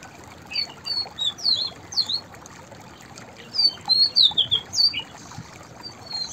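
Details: White-browed fantail song: two phrases of clear, high whistled notes, rising and falling in a jaunty sequence of about five to seven notes each, over a soft background hiss.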